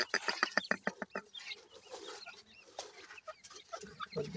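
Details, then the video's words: Dakhni teetar (francolin) voice, compared for male and female: a quick run of about eight sharp, clucking notes in just over a second, then softer scattered calls over faint background noise. "dakhni teetar male female difference,voice checks titur"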